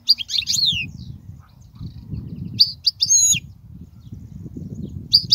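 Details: European goldfinch song used for teaching young goldfinches: bright high twittering phrases with sharp descending slurs, a burst at the start, a pair of phrases midway and another at the end, over low background rumble.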